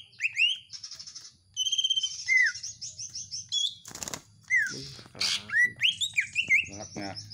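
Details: Home-kept greater green leafbird, presented together with common iora sounds, singing busily: varied whistled phrases, sliding downward notes and rapid trills, with harsh buzzy bursts and a brief flutter of wings midway, over a faint low hum.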